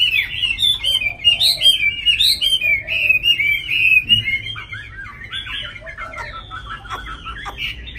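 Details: Tame Chinese hwamei, caged in Hà Nội, sings rapid rolling whistled phrases for about five seconds, with low warbles beneath, then slows into softer, scattered notes and faint clicks.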